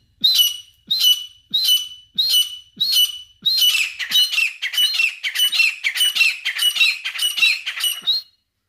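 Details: Female grey francolin calling in jungle: a series of loud, harsh, high squawking notes, first spaced about every half second, then quickening into a dense run of about a dozen rapid notes before stopping.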